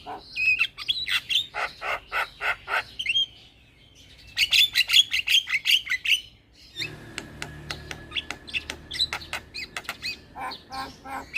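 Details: Starling (jalak) lure bird, meant as therapy for starlings gone quiet: rhythmic harsh chattering notes, a brief pause, a burst of squeaky whistles and rasps, then a long train of rapid dry clicks over faint background hiss.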